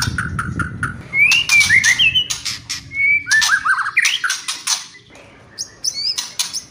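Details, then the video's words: White-rumped shama song with kretekan and whistling: harsh broadband rattling bursts mixed with short clear whistled slurs, some rising and falling, delivered in quick irregular phrases. "MURAI BATU... KRETEKAN & SIULAN"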